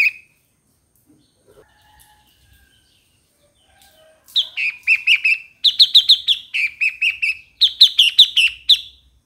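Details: Near-silence for four seconds, then a Streak-eared Bulbul delivers four rapid phrases of sharp, slightly downslurred chirps in quick succession.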